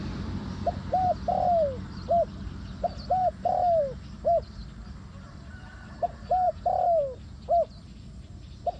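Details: Spotted dove calling for a bird trap: three bursts of several short coos each containing one longer descending coo, separated by pauses, with faint high chirps of other birds and a low hum.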